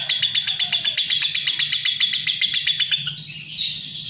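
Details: Fast stream of scratchy, high chirps from a lovebird, about four per second, fading into a smoother wavering tone at the end, over a low background hum.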